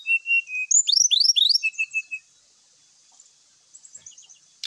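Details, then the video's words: Brown-chested jungle flycatcher singing clear level whistles, then a quick series of loud downward-sweeping slurred notes and three even whistles, fading into soft high twitters. "pancingan srdc bikin cepat bunyi , sikatan rimba gacor bikin emosi , srdc full isian"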